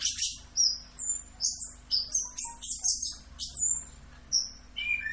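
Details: An orange-headed thrush delivers 'rock'n roll' style song: high piercing whistled notes, some clear and level, mixed with scratchy bursts and a few lower short whistles, over a soft continuous hum.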